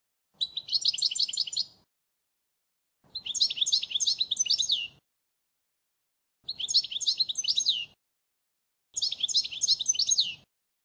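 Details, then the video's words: European goldfinch model song, a faultless song for training young birds, recorded in 2016: four bright, rapid twittering bursts of high tinkling notes, each about one and a half seconds, separated by silent pauses. "Chant Chardonneret sans fautes pour l'écolage 2016 تغريد الحسون الاصلي"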